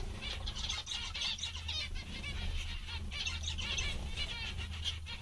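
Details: A lively group of zebra finches, called funny and happy, keeps up busy repeated nasal beeping chirps, packed closely together without pause, above a low droning hum.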